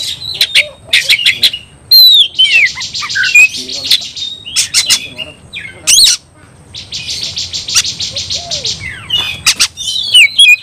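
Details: Provocative oriental magpie-robin fighting song; sharp chips and whistles alternate with long buzzy rattling trills, a brief quiet gap, then another extended rattle and twisting whistled notes.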